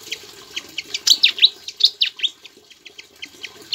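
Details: Javan flycatcher in full song, filled with Ciblek imitations, meant for training other songbirds: rapid high chips and loud, slurred downward whistles in a busy, uneven stream with background hiss.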